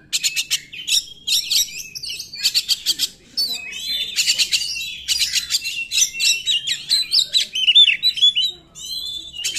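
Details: Oriental magpie-robin 'nembak' song to provoke other magpie-robins that sing poorly. Nearly continuous alternation of harsh rapid rattling bursts and bright whistled, slurred phrases, with short breaks between groups.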